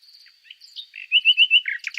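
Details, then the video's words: Short nightingale song phrase: a thin, high drawn-out whistle, then four loud, ringing notes repeated evenly and a final scratchy flourish. "Som do canto do Pássaro ROUXINOL"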